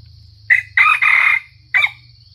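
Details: Sumatran red junglefowl crowing as a trapping lure: a brief clipped note, then a longer hoarse two-part crow, and a short final syllable, all over a constant high-pitched insect hum and faint low rumble.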